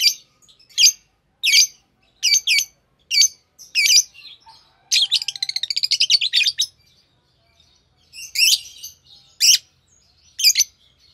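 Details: A green Fischer's lovebird pair gives a series of sharp, grating chirps, then a rapid stuttering trill of evenly spaced buzzy notes lasting almost two seconds, followed by more spaced, strident chirps.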